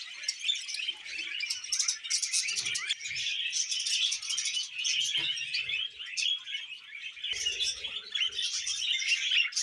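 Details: Several budgerigars in busy conversation, producing a continuous layered stream of high twittering and rasping chirps, with a few faint low knocks and thumps underneath.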